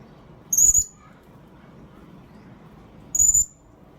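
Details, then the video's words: Blue-crowned hanging parrot calling as a lure recording: two very high, thin, sharp whistled notes about two and a half seconds apart, over quiet low background hum. "pancingan burung serindit memanggil"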